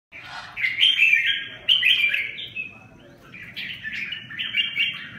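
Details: Red-whiskered bulbul singing a bright, chattering run of warbled phrases, loud, then briefly quieter, then resuming, over a low background hum.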